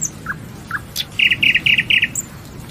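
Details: Nightingale song: two soft short notes and a sharp high flick, then four loud, rapid, rattling phrases repeated evenly, ending with a thin high note.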